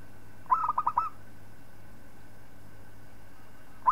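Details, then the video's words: Zebra dove of a local strain, recorded for training other birds: one rapid phrase of bubbling, pulsed coos followed by a long pause, then the opening note of the next phrase, with a faint constant hum behind. "Suara Perkutut Lokal Palng Zos Untuk Masteran"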